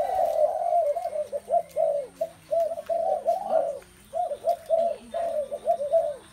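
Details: Several spotted doves calling together, low mellow coos packed into a near-continuous overlapping series broken by one short gap.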